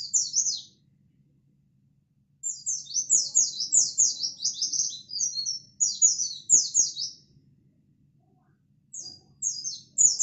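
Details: Local white-eye chirping non-stop, used as bait to provoke other white-eyes: fast runs of very high, thin, descending chirps in dense bursts, separated by short silences, over a faint low hum.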